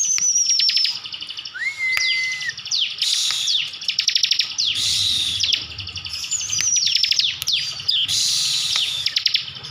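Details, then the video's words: From Slawi, Tegal, Central Java, a kept Bar-winged prinia sings 'gacor full tembakan': a thin high wavering whistle, a rising-then-level note, then continuous volleys of piercing ticking trills and downslurs. "ciblek gacor full tembakan || ciblek gacor mantap...."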